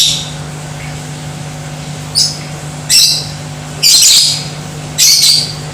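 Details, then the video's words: Lovebird song intended to rile other lovebirds into fighting and singing: a faint chirp, then three louder harsh, high chattering bursts spaced about a second apart, over a low hum. "Di Pancing Suara Lovebird Ini , Bikin Jadi BRIGAS"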